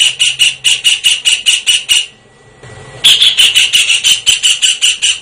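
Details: Kingfisher rattling off rapid, shrill, harsh notes, falling quiet over a faint hum for about a second, then continuing the fast series.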